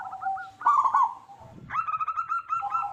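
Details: Local zebra dove with a big, loud voice, used as a lure to get other zebra doves to sing quickly. Mid-pitched rolling coos come in two phrases separated by a short pause.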